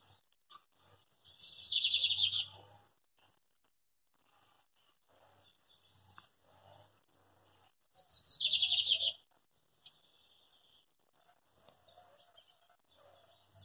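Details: Lined seedeater singing in the rural zone of Coronel Murta, Brazil, on a farm: two short, dense, buzzy trills, each opening with a thin high note.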